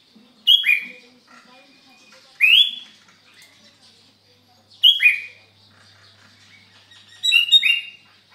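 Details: Sooty-headed bulbul singing actively on a Sunday morning at Sukanegeri, OKU Timur: four loud, bubbly whistled phrases roughly every two and a half seconds, each a quick sliding note pair, with faint chirps in the quiet background.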